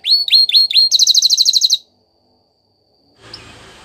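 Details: Belgian canary singing for canary training: four quick descending whistled notes, then a fast buzzy trill of rapid repeated notes, followed by near silence and a brief soft rustle.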